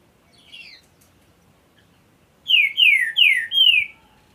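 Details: Green-winged saltator singing: a soft double whistle, then after a pause a loud phrase of four rich, slurred whistled notes, each sliding downward, delivered in quick even succession over about a second and a half; quiet background.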